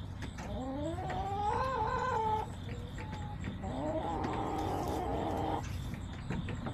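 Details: Backyard flock of chickens on a daily yard camera, September 20, 2024: two loud, drawn-out harmonic hen calls, the first rising then held, the second a long steady cackle, over low outdoor rumble.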